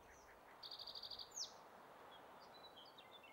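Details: A male Spotted Towhee singing on territory at Metcalf Wildlife Management Area, Nebraska, on 23 May 2023: a quick, dry trill of about eight high notes, then a sharp down-slurred note, over steady background hiss with faint distant chips.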